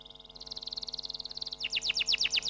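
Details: Canary trilling softly: a quick, even run of tiny repeated notes that steps up in pitch, then a louder series of sharp, slightly falling chips repeated several times per second.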